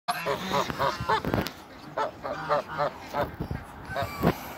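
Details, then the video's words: Toulouse geese, a pair on a Greek waterbird farm, calling as they meet each other; rapid nasal honks in quick bursts, some rising-falling, with a low buzzing hum beneath and a few sharp knocks. "MEETING COUPLE TOULOUSE GEESE"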